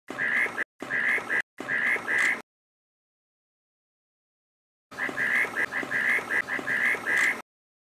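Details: Reed parrotbill giving runs of harsh, nasal chattering notes, about one to two per second, in bursts broken by abrupt silent gaps; a low rustling background sits under the calls.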